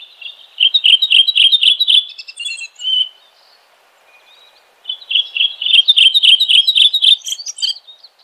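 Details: Two bouts of red-throated thrush song, each a rapid, regular string of loud bright chirps lasting two to three seconds, with a soft whistled note and near silence between them.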